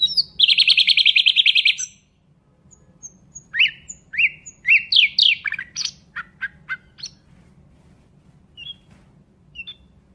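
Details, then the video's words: Nightingale song: a loud rasping buzz to start, a pause, then rising and falling whistled slurs and sharp chips that fade into a few soft high notes. "Nightingale bird singing Beautiful"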